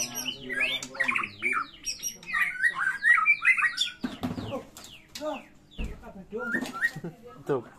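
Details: White-rumped shama in fighting song, used as a lure and tutor recording: a rich, fast medley of fluty whistles, rising slurs and harsh chattering notes, with mimicked phrases mixed in.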